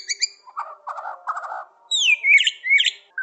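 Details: White-rumped shama of Aceh, Bahorok, Borneo, Medan and Nias black-tailed stock: low buzzy rattling notes followed by bright, sweeping, upward-sliding whistles.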